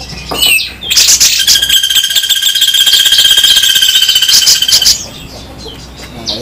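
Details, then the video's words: Grey-cheeked bulbul, local and Sumatran birds compared, giving a harsh, spicy 'besetan' song: a fast, buzzy, steady trill with high ringing overtones lasting about four seconds, with brief chirps before and after. "Masteran super kasar raja besetan jenggot lokal vs sumatera"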